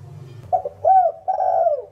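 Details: Spotted dove giving a 'thổ đồng' style calling coo: a short hoarse double note, then a clear rising-falling coo and a long drawn, slightly falling final coo, with low background hum.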